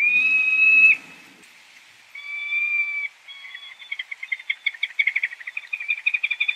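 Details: Peregrine falcon making long, level, nasal wailing notes separated by gaps, then breaking into a rapid pulsing chatter of short notes.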